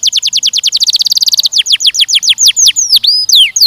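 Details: Young canary singing in mating training: a very rapid rolling trill of high notes that shifts to slower, deeper-sweeping whistled notes and a few long swooping slurs.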